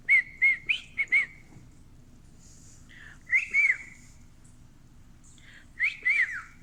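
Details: A male pet cockatiel that sings tunes such as Another One Bites the Dust whistles clear, sliding notes in three short bursts: a quick run of four, then two pairs, separated by pauses of about two seconds.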